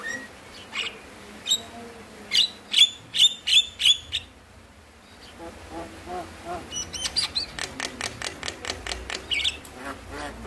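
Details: Javan myna song used to trigger lazy mynas to sing: a handful of loud, sharp whistled notes, a short pause, then a faint, quick run of chattering notes.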